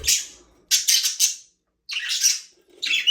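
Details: Australian parakeets in an aviary make four loud, harsh, buzzy chirp bursts, each under a second, separated by clean silent gaps.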